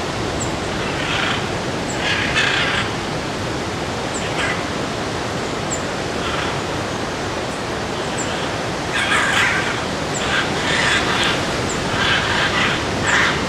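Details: Scarlet macaws in the Corcovado forests of Costa Rica in March 2018 give harsh, raspy squawks, singly and in short bursts every second or two, over steady wind or surf noise with faint high ticking.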